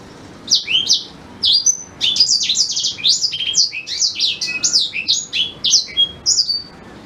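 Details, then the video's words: A black-throated canary sings an unbroken, high-pitched warble of quick, sharply sweeping notes and buzzy trills for about five seconds. This natural song is meant for teaching white-rumped shamas. "Suara Asli Blackthroat Pas Buat Guru Murai Batu"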